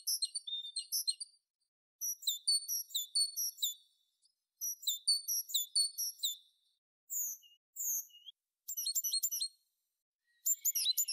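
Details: Tit song in several short bursts of very high, tinkling, jumbled notes, each burst lasting about a second, separated by brief silences, with a few single sharp notes between.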